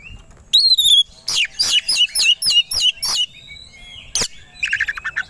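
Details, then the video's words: White-rumped shama kept as a competition songbird, provoked to sing aggressively: a high falling whistled note, then a fast run of sharp strident chips, a loud click, and a final chattering burst. "Pancingan Kacer Agar Cepat Emosi Gacor 3 || Super Gacor Langsung Tarung"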